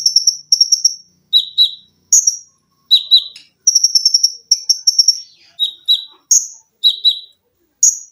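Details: Olive-backed sunbird, a cage bird, training recording of dense shots and shrill song: fast strings of sharp high chips alternating between two pitch levels, steady and continuous for eight seconds, with no other sounds.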